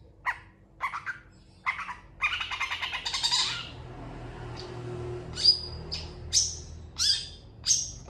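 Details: Long-tailed shrike singing as it answers other shrikes: spaced rough notes, a run of grating chatter, then a series of sharp, high squeaky notes spaced under a second apart over low hum.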